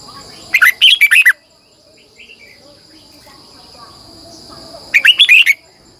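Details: Red-whiskered bulbul decoy singing at dawn in a long twisting double voice; two phrases of five or six quick warbled whistles about four seconds apart, faint chirps and a steady high tone in between.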